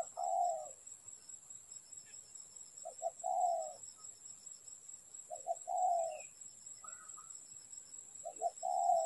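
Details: Spotted dove calling during bird trapping, a quieter, more distant-sounding phrase of two short coos and a longer rolling coo, repeated about every three seconds over a steady high background hiss.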